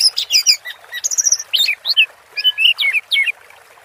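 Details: Orange-headed thrush singing 'teler' style during water therapy, a fast jumble of high chirps, slurs and twittering notes in quick bursts with short pauses.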